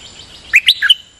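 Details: Nok dok taeng songbird singing for decoy use with frequent doubled phrases: four quick bright chirps, rising and falling, the last a clear high whistle, after a soft warble.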